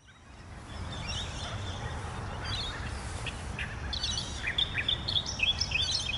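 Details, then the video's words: Reed warbler perched on thick reeds at a large pond's edge, Shankland Wetlands, Woodlands Historic Park, Greenvale, answered by another reed warbler in a bush opposite. Quiet at first, then rapid high, scratchy chattering phrases repeated over steady background noise. "Song & call of the Reed Warbler"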